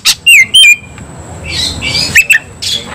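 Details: Oriental magpie-robin (kacer) worked up into an intense fighting mood, giving loud, sharp whistled notes and rapid downslurred chirps in short bursts, followed by harsher buzzy scratchy phrases and a few high clipped whistles.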